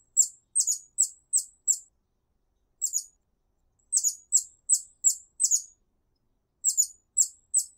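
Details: In a garden, a hummingbird gives very high, thin, sharp chips in quick bursts of two to eight notes, with short pauses between runs, against a quiet background, said to be calling other hummingbirds to the garden.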